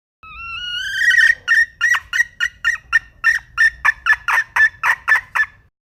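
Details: Wild red junglefowl hen starting with a rising whistled note, then a long, regular series of about sixteen short, harsh clucks, nearly four per second.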